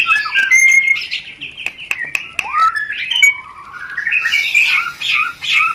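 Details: White-rumped shama rencetan, a mating lure, opening with clear whistles and sharp clicks, then a smooth rising slurred note and a busy burst of twittering chatter.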